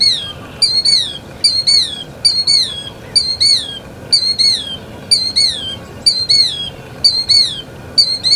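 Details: Repeated shrill killdeer calls, each a quick upward flick followed by a longer descending whistle, delivered about once a second throughout, clear and dominant against quiet ambient noise.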